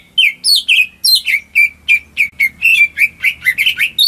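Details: Household greater green leafbird singing as a lure for non-singing birds: a steady stream of bright downslurred chirps and sliding whistles, about three notes a second, varying in pitch.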